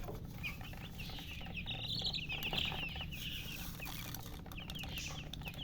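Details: Thirsty poultry chicks wanting water call with dense, high, slightly falling peeps, several per second in overlapping bursts, some louder near the middle, against a low background hum.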